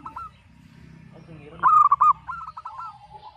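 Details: Local zebra dove with a 'pecah' voice, sung to coax mute and lazy birds: one loud burst of quick stepped coo notes followed by a softer trailing phrase, over steady low rumbling noise.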